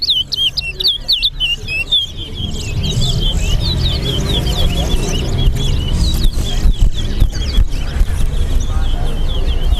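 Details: Towa towa song during a bird-singing competition between two birds at Sheriff Street bird ground: rapid, high, whistled warbling notes in a continuous flowing stream, nearly buried under loud crowd chatter and background rumble.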